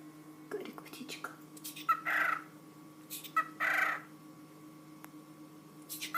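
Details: Male pet cockatiel, kept indoors with a budgerigar, imitating a sneeze while his owner talks to him. Two breathy, noisy bursts come about one and a half seconds apart, with scattered short clicks and a steady low hum.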